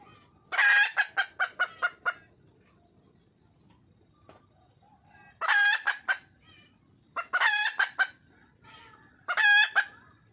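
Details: Junglefowl hen in the wild calling for a mate: a squawk with a short burst of clucks, a long pause with faint hiss, then three separate loud, harsh, drawn squawks.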